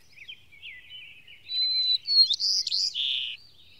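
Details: White-crowned sparrow singing in Maine during northward migration in 2013: a clear sustained whistle, a short sharp note, then buzzy slurred notes ending in a lower rough trill; faint chips precede the song in a quiet setting.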